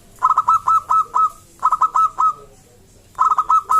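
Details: Loud local zebra dove song, played to provoke other zebra doves to sing; three phrases of quick, clear, rolling coos, each about a second long, separated by short pauses.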